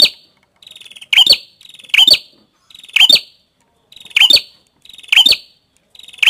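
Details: Singing prinia (prenjak kepala merah): short rasping buzzes each ending in emphatic, high, metallic chirps, repeated six or seven times at steady intervals of about a second, clean and quiet background.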